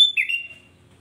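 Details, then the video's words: Brief sooty-headed bulbul song fragment aimed at provoking other bulbuls: a sharp high whistle dropping into a short, slurred, warbling note that fades quickly. "Hanya hitungan detik kutilang lain pasti ikut emosi"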